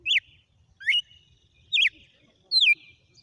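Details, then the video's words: Red-cowled cardinal in a song sequence, giving four bright whistled phrases roughly every 0.8 seconds, some swooping upward and others dropping steeply, over quiet low background noise. "Galo de campina na SEQUÊNCIA DE CANTO"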